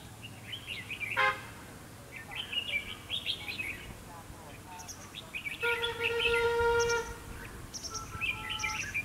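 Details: Red-whiskered bulbul decoy song at a fighting trap, aimed at provoking a rival: repeated warbled phrases, with a sustained tonal hum and a sharp click cutting through.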